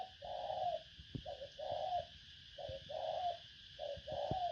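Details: Spotted dove lure call: short low coos, each a brief note followed by a longer swelling one, repeated about once per second, with clicks and knocks against a steady background hum.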